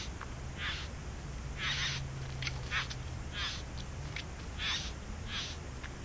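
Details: Soft rasping bursts from nesting bowerbirds in a back yard, about eight uneven harsh notes across six seconds, fairly distant, over a steady low hum.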